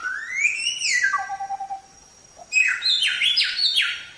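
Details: Samyong singing, recorded for training songbirds: a long, rising then falling whistle that slides downward, a short pause, then a burst of rapid, rich, stepped notes.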